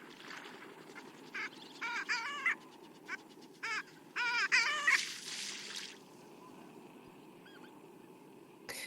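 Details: A long-tailed duck gives its display call: bursts of yodelling, nasal calls that rise and waver, about eight notes over four seconds, then quiet.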